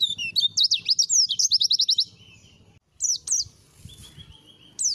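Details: White-eye song kept as training material: rapid bursts of high sweeping, zigzag whistled notes, then a pause and a few separate high slurred notes with a thin level trill.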